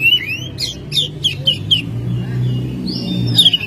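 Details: Home-kept Oriental magpie-robin singing energetically in May: a rapid run of short, bright, downward-sliding whistled notes, then a longer whistle and a loud closing phrase, over a low hum.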